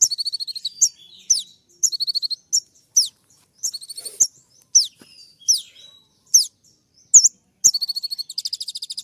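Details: Brown-throated sunbird (kolibri ninja) in a 'suara tembak' full-isian training recording meant to provoke other birds: sharp, very high descending whistles alternating with rapid buzzy chattering bursts, songs spaced by short silences.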